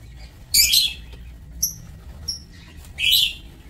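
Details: Lovebirds kept in a breeding aviary, recorded 27 March 2024: two harsh, shrill screeching bursts about two and a half seconds apart, with two brief thin high whistled notes between them, over a quiet low background hum.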